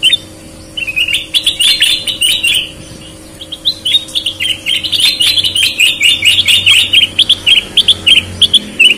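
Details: Sooty-headed bulbul singing persistently, a golden-type bird with red or white eyes. Busy chattering run of short whistled and slurred notes, about four per second, with sharp clicks between phrases and a steady low hum behind.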